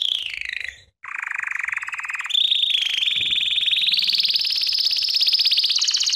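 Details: ['Belgian canary song meant for training: a falling note, a brief gap, a low pulsing roll, then a steady higher trill that climbs gradually and continues without pause to the end.']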